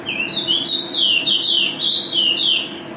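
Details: Champion mountain white-eye, ranked first nationally, delivers a loud, continuous ropel-style warble of bright, high, slurred notes that run together in fast rolling phrases with hardly a pause. A faint low hum sits underneath.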